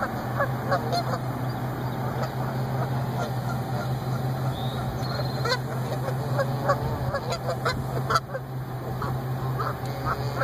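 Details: Goose reunion in a parking lot nesting site, the male having waited all week while his mate was treated for suspected lead poisoning; irregular bursts of short nasal honks sound over a persistent low hum.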